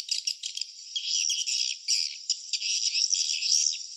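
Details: Dense high twittering of swiftlets at nest sites, beginning with clipped chirps and settling into a steady, shimmering rattle.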